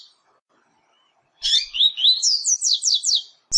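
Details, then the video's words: {'caption': 'Rusty-collared seedeater (coleiro pardo) training song for young birds after fledging, a fast run of bright, sharp whistled notes rising into a string of four or five quick descending slurs, about two seconds long, clean background.'} "Tui Tui Zel Zel Top Treinamento de Coleiro Pardo Pós Encarte!!!"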